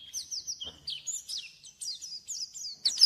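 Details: White-eye, known locally as pleci, singing vigorously while seeking a rival: a steady run of thin, high chirps and short downslurred notes, with a few slurred whistles and a louder sharp note at the end.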